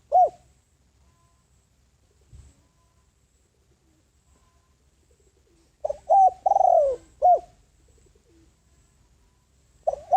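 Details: Spotted dove, a decoy bird used to call in wild doves, giving one husky cooing phrase: two short coos, a longer drawn-out falling coo, then a final short coo, with quiet pauses before and after.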